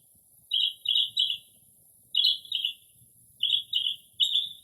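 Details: Night-singing Northern mockingbird in early spring mimicking various birds: groups of three raspy, descending chirps repeated about every second and a half, loud and clear with faint hiss behind.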